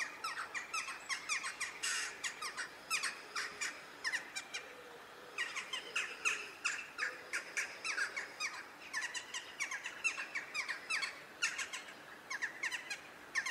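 Western jackdaws chatter with short, sharp 'tchak' calls, several birds overlapping in rapid bursts with brief pauses between flurries.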